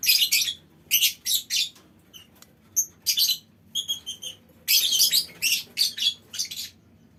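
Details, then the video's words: Lovebirds calling as a colony in a mini aviary; rapid series of harsh, high screeching chirps, repeated in quick bursts with some thin whistled tones between. "Suara Lovebird Koloni Bikin Burung Lain Ikut Ngekek Panjang"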